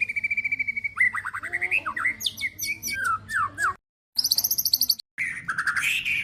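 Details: Song of a white-rumped shama used to spur other shamas to sing: a steady held whistle, then varied rising and falling slurred phrases, broken by abrupt silent cuts, followed by rapid high chattering notes.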